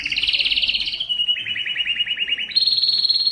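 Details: Canary song for encouraging males to sing: a rapid warbling trill that steps downward, a long run of evenly spaced pulsed notes, then a bright higher rolling tour.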